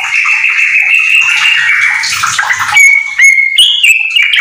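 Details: Yellow-vented bulbul kept at home in rapid song with magpie-robin phrases: a long sustained whistled tone over a hissing background, then sharper clear whistles and rising notes.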